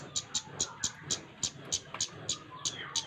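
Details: Flowerpecker, kept to prompt other birds to sing, giving sharp, high ticking notes about every third of a second, with faint thin whistles from other birds in the background.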